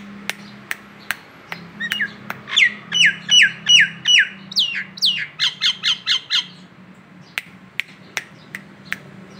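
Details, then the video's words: Training recording (masteran) of a local Nias hill myna: sharp clicks spaced about half a second apart, then a rhythmic series of bright falling whistled notes, more clicks between, and a faster run of clipped notes. "masteran jalak Nias lokalan aja"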